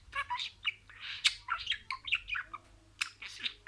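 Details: Pet budgerigar mimicking words: soft, blurred speech-like chatter with small whistled accents and sharp clicks, in irregular short phrases.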